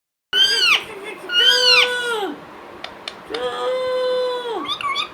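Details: A pet talking Indian ringneck (rose-ringed parakeet) speaks in high, nasal, voice-like phrases such as "Mitthu", then gives a long drawn "meow", with small chirps at the end.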